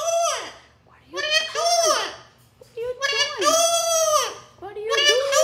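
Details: Jealous pet female Amazon parrot crying indoors while its owner handles another parrot: long, strained, harmonic wails that arch upward and sag, given in uneven bursts with short gaps, and a person talking softly.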